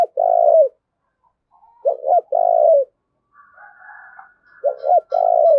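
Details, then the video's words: Decoy spotted dove calling to provoke a fight: repeated phrases of a clipped double coo followed by a longer drawn-out coo, plus a faint thin chattering sound between phrases. "Tiếng chim cu mồi thúc đấu"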